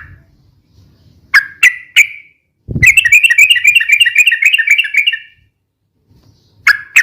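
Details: Yellow-vented bulbul, a noisy, rapid-fire song used for luring and tutoring birds: several sharp single chirps, then a two-second run of fast, even, bright notes, and more sharp chirps at the end.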